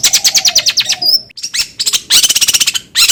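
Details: Long-tailed shrike song used to train birds to sing quickly: a rapid series of scratchy notes, a thin high whistle, then another fast, dense chattering trill.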